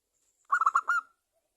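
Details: Local zebra dove, a lively prize-quality singer, used as a lure to make other zebra doves sing: one short phrase of four quick, clipped, mid-pitched notes ending in a slightly longer note, clean with no background.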